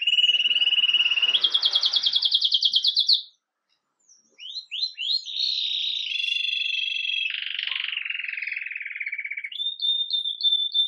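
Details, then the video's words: Red agate mosaic Belgian canary in Campainha song, recorded live as it starts the day: a steady roll rising to a pulsed higher trill, a second's pause, brief slurred notes, then a long roll stepping downward and short repeated notes. "Canário Belga Ágata Vermelho Mosaico Canto Campainha"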